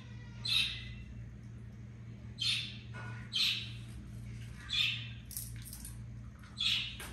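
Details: Indoor pet African grey parrot, a talker known for calling its own name, gives short rasping squawks repeated roughly every two seconds, five in all, each a bright burst over a faint constant hum.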